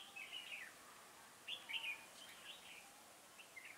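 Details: Red-whiskered bulbul kept as a trapping decoy gives slurred, warbling notes in small clusters, loudest in the middle, with quieter chirps trailing off amid background hiss.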